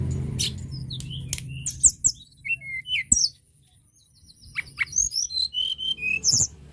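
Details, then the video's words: Tledekan gunung, a lark, singing in lively 'gacor' style: sharp high chirps and short clear whistles, some rising or falling, in bursts with a brief pause midway, over a low background hum. "Tledekan gunung gacor"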